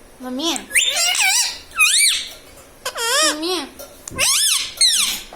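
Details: Pet parrot mimicking the words "mummy papa": a run of high, warbling, voice-like syllables that dip and rise in pitch, delivered in quick phrases with brief pauses, filling most of the stretch.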